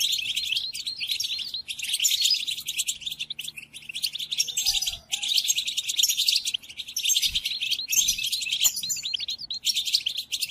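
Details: Goldfinch song for training caged birds: long stretches of rapid, tinkling twitter mixed with harsh buzzy notes, several phrases separated by short gaps, a faint low note heard once in the background.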